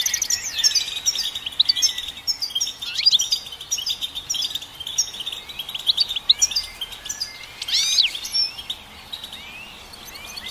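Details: Goldfinch singing a long, continuous twittering medley of high chirps, rapid trills and sweeping upward and downward notes, with a faint steady hiss beneath.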